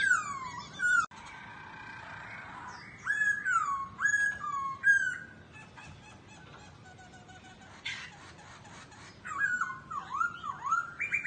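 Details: Dancing laughingthrush with flicking tail gives loud looping whistles in separate bursts, with quiet pauses between them. Some notes are sharp and squeaky, and wavering slurred phrases come near the end.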